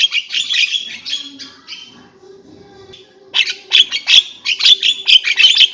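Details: Javan myna giving a blurred burst of scratchy chatter, a short quiet stretch, then a run of loud, harsh, clipped notes with squeaky accents, about three per second.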